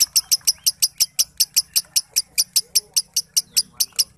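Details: A lovebird gives a long ngekek song, the local name for its rapid cackling delivery, sharp high chips repeated evenly about five times a second without a break, over faint low background noise.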